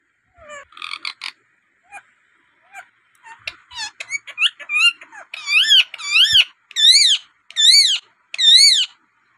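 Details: Pet native rose-ringed parakeet shows its range of sounds: squeaks and clicks, then loud, wavering shrieks repeated about once a second, sliding up and down in pitch.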